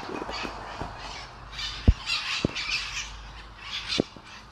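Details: Flock of mitred parrots gathering at a regular daily spot in Sunnyvale, 11/04/2020; scattered harsh, raspy squawks in short clusters, with a few sharp clicks or knocks and a low background hum.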